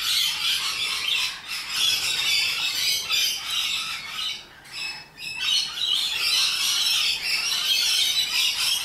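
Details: Wild rainbow lorikeets, highly social nectar-feeding parrots known for loud, obnoxious behaviour, screech in a harsh, shrill, near-continuous chorus of overlapping squawks, with only brief lulls.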